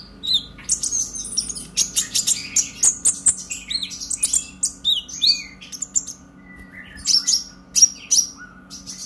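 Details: Excited konin chatter from a purple-throated sunbird, played to spur young birds into song: quick series of high tinkling chips, a short pause, then more squeaky notes and a low-sliding whistle.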